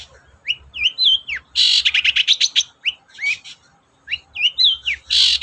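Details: Long-tailed shrike song meant to stir other shrikes into singing: quick looping whistles broken by loud harsh rasping bursts and rapid chattering notes, repeated in two phrases with a short pause between.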